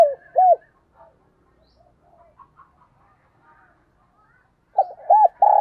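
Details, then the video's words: Spotted dove decoy bird cooing in the morning to call wild doves: a burst of two rounded, hoarse coos at the start, a quiet stretch with faint chirps from other birds, then another coo phrase at the end. "Tiếng Chim Cu Mồi Gáy Gọi Bổi Vào Buổi Sáng, Bổi Nghe Siêng Gáy"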